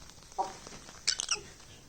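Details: Pet lovebird, one of a red-faced and a peach-faced pair playing with a boy and biting his jacket indoors, gives a soft low chirp, then a quick burst of four or five shrill, high chirps.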